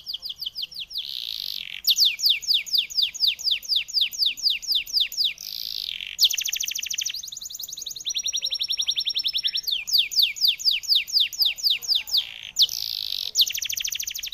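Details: Canary singing in the chattering 'ngoceh dor dor' style: fast trills of rising sweeps, repeated about four per second, broken by short buzzy bursts and sustained high notes, loud and continuous throughout.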